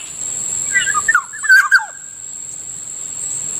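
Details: Kilyawan, the black-naped oriole, near a rice field in the morning, giving a brief liquid phrase of fluty whistled notes that slide downward, over a steady high hiss of insects.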